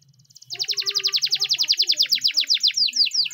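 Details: Spanish Timbrado canary training song: a long, fast series of sharply descending high notes repeated about three times a second, gradually slowing toward the end.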